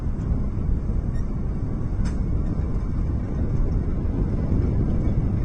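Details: Steady low wind rumble and engine-like drone fill the recording, with a faint click near two seconds and no animal calls.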